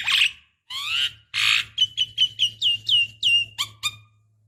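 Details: Javan myna female calling a male, played as a lure for other mynas: two harsh, broad squawks, then a quick series of about ten short whistled notes, each sliding downward, ending in two sharp clipped chirps.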